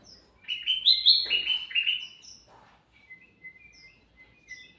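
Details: Sooty-headed bulbul in full chatty song, used to lure other birds: a burst of loud, rapid, chirpy notes, then softer, thinner twitters scattered over the last seconds.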